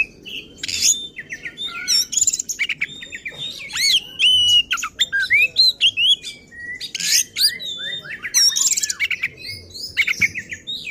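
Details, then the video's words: Oriental magpie-robin, or kacer, singing fiercely and emotionally to provoke other kacer birds, pouring out a busy medley of bright whistled slides, buzzy rasps and quick chips in tight, loud sequences. "Burung Kacer Gacor Ngotot dan Emosi Suara Menggila Bongkar Isian."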